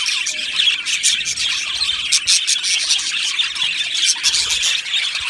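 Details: Many budgerigars kept in an aviary colony, singing together: unbroken high, bubbling chatter with short bright chirps and squeaks scattered through the dense chorus.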